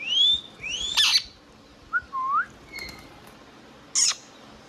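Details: Indian ringneck parrot: two bright rising whistles with a harsh squawk, a short bent whistle, a thin steady note, and a final sharp squawk.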